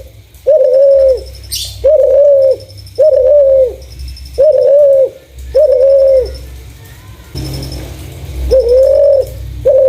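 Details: Lure recording of a clear-voiced spotted dove: a regular series of flat, drawn-out coos with a quick rising onset, roughly one per second, broken by a short noisy burst. A faint high ticking continues throughout.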